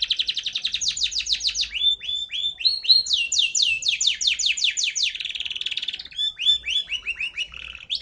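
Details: Grey canary singing a continuous, high song of fast repeated trills, each phrase a rapid series of descending notes, shifting between several trill types with brief whistled notes, recorded close and clear.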